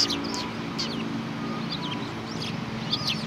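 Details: Sparrows in winter, December 22, 2018: short chirps and twittering notes, several overlapping, scattered through the clip over a steady low background hum.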